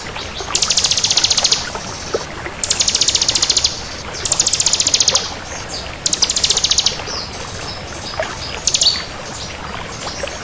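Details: Bar-winged prinia of the 'kristal' type in full, lively song: very high, rapid buzzy trills in bursts of about one second, four bursts separated by short pauses, with a few thin chips between them over faint background hiss.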